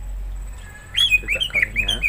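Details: Pet green leafbird (cucak hijau) in its cage, recorded 30 January 2024, bursting after a quiet second into a fast run of chattering, slurred whistles and short buzzy notes, lively and continuous to the end.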